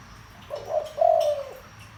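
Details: Spotted dove with a deep voice, cooing to stir up decoy birds; a brief opening note followed by a sustained, even, low coo that tails off downward, against quiet background hiss.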